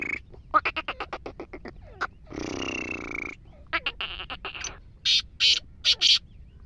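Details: Black francolin call closing the recording as four loud, rasping notes in rapid sequence, after a busy stretch of clicking, chattering bird sounds and a brief hissing noise.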